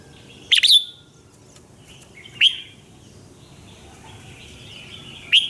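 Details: Red-whiskered bulbul singing in the morning, fired-up training song: sparse short, sharp whistled notes with a slurred flourish, spaced about two seconds apart over a faint hiss.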